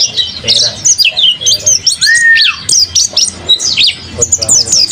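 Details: Rapid, tinkling high notes from a kept mountain white-eye, one brief smooth arching whistle standing out among the continuous chirps and slurs.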